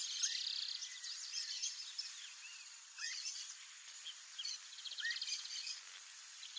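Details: Streamer-tailed tyrant, a migratory wetland bird of Brazilian marshes and flooded areas, gives short, high, rising chirps and sharp notes at an irregular pace over a busy wash of other high bird chatter.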